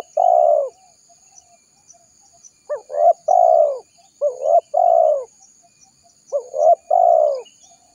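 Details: Spotted dove lure call, used to draw wild doves in: four low, mellow three-part coos spaced over eight seconds. Each has two short rising notes followed by a long, purring, falling final note. The background is quiet.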